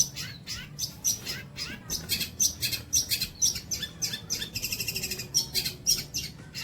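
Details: Long-tailed shrike song as songbird training material: separated harsh chips alternating with brief thin whistles, plus one fast trilled burst near the end.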